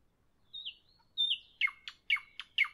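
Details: Evening nightingale song opening with two drawn-out descending whistles, followed by a rhythmic series of sharp clicking notes paired with thin steady whistles, about three to four per second.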